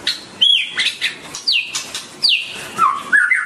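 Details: White-rumped shama (Copsychus malabaricus) singing: clear whistled phrases sweeping down from high notes, some rising and warbled, in short bursts separated by brief pauses, with clicks and rustling between.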